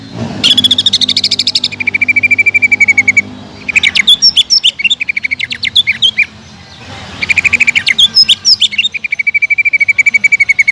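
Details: A greater green leafbird sings hard to draw other leafbirds into song, alternating long trills of rapidly repeated notes with bursts of twisting high whistles, three loud phrases in all.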